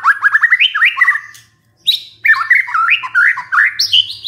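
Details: White-rumped shama lure song to get a stressed shama singing: a fast ladder of upslurred whistles climbing in pitch, a short gap, then choppy rapid rising and falling notes ending on higher sharp whistles.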